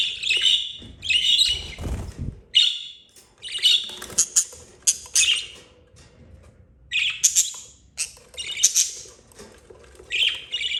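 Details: Four budgerigar chicks, two yellow and two green, eldest aged 32 days, with their mother; bursts of harsh squawking chirps, with a low thump near two seconds and quieter gaps between bursts.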